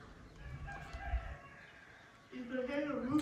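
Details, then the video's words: Rooster crowing early in the morning at sunrise in Manduli, Tanzania, waking everybody up; a harmonic crow rises and strains through the last second after low rumbling background and a man's voice. "You can hear the roosters crowing, waking everybody up."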